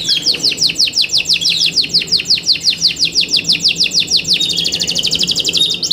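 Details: Yorkshire canary in captivity singing for competition: a long series of loud descending whistled sweeps, about three per second, ending in a fast high rolling trill.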